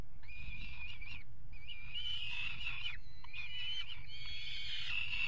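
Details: Mating peregrine falcons on a nest-box ledge atop a water tower in Axel, Netherlands, 5 February 2018; grating, slightly wavering screams come in short bursts and longer drawn-out cries over continuous low hum.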